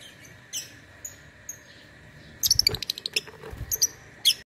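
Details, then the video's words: Online contest lovebird from Singkawang, West Kalimantan, Indonesia: a few isolated thin whistled chirps, then a dense rapid chatter of sharp high chirps over faint low noise. "LOMBA LOVEBIRD ONLINE 4 - Aksi LoveBird"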